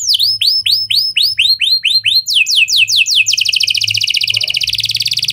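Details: Canary singing in lovebird and prenjak cengkok style as a lure for other canaries: about ten loud falling whistled notes at a steady pace, then a dense, rapid, buzzy trill rising into the end.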